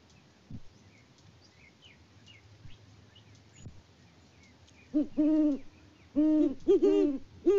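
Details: Great horned owls, a mated pair on a Peabody, Kansas farm, filmed by live cam in February 2024. After a quiet stretch with faint chirps, deep, rounded hoots start, three bursts in quick series in the final seconds.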